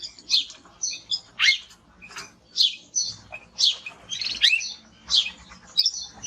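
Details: Male timbrado canary singing: short separate high chirps and rising twittered notes in bursts about every half second to second, with brief quiet gaps between.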